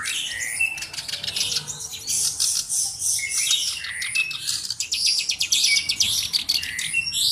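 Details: Black-browed reed warbler used as a tutor bird, pouring out a dense, high-pitched tumble of squeaky chirps, rattles and buzzy trills with little pause.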